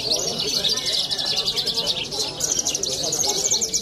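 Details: Australasian bushlark, young champion-minded contest bird from Cilacap, Java, giving a fast shimmering high trill that swells and eases, over murmuring voices and general crowd noise.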